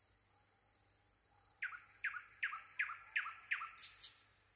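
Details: Nightingale giving faint high whistles, then a run of six loud, evenly spaced notes that sweep sharply downward, each about half a second apart, finishing with a high sharp flourish.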